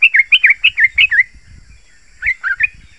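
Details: Yellow-vented bulbul singing as a lure to stimulate other bulbuls: seven clear, fast bubbly notes in a rising-falling run, a short gap, then three more.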